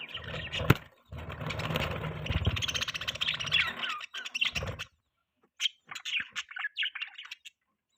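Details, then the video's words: Budgerigar chirping over a low rumbling noise at first, then clearer, separate high chirps once the rumble stops. "Budgie Chirping Sounds | Budgie Singing Sound | Budgie Beautiful Voice"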